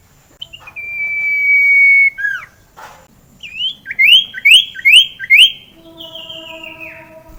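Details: Common iora singing, a lure for rarely vocal birds: a drawn-out steady high whistle, a brief downslur, then five quick rising whistled notes in a rhythmic series, ending in a fading descending note.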